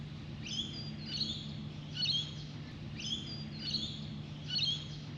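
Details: Australian magpies, a pair, drinking at a birdbath give short bursts of bright, fluty warbling, each phrase of several quick notes, about one every second, over a steady low hum; both birds seem to join in.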